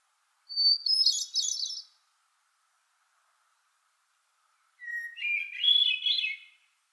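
Hermit thrush sings two flute-like phrases, each opening on a long pure note and spilling into a tumbling cascade, the second phrase pitched lower, with calm silence between.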